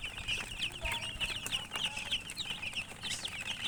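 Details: Chirping from colored chickens, locally called murgi. Quick, high, slightly warbling peeps come in a dense, irregular run, about one or two per second, over light background noise.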